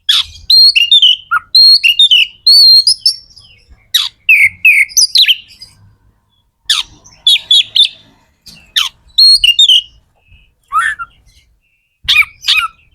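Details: Kacer (magpie-robin) in lively song to encourage other kacer to sing: bursts of rich whistles, trills and sharp downslurs separated by short pauses, nearly free of background noise.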